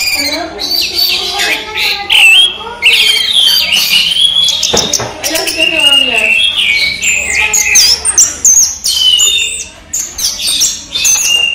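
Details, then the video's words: Caged orange-headed thrush singing during the day: varied loud whistled phrases, rising and falling slurs and rapid chattering notes, with brief sharp clicks and a loud thump midway. "ANIS MERAH SI RAJA TELER"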